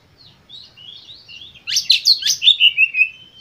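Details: Kacer, or Oriental magpie-robin, in full-emotion lure song meant to set other birds singing: soft, thin whistles build into a loud burst of sharp, rapidly repeated notes, almost three per second, ending in falling whistled trills.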